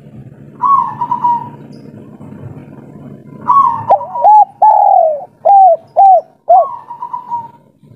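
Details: Spotted dove of local stock, 'kuk 3' style, calling to a female: one soft hollow coo, a pause with low background murmur, then a run of about six mellow arched coos, the middle one drawn out.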